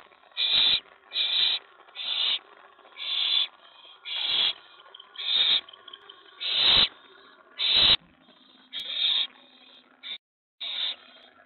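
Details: Owl at the nest during night-time prey deliveries of a mouse and a rat, May 24 2017, with an owlet present. About ten short, rasping hiss-screeches follow one another at roughly one-second intervals, some louder than others.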